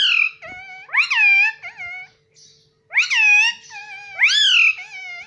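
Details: Pet Indian ringneck parakeet indoors, talking and repeating 'mitthu mitthu' in a small room: loud, harsh, arched harmonic syllables in three bursts, with a short pause in the middle and a faint steady hum underneath.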